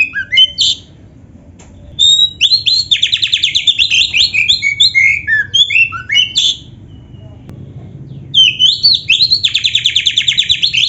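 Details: Oriental magpie-robin song in the 'gacor full isian' style: quick rich phrases, a short gap, a long, steady series of rapid buzzy notes mixed with whistles, another pause, then renewed fast trilling.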